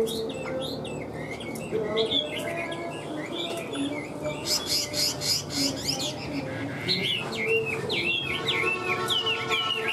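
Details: Caged hwamei sings bursts of quick, looping whistles, with a noisy, rustling middle stretch before further rapid slurred phrases return.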